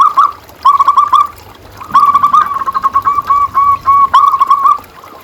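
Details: Local perkutut (zebra dove) for training caged doves: quick rippling coo bursts alternating with a longer chain of short, evenly spaced notes, some phrases overlapping with a second softer voice.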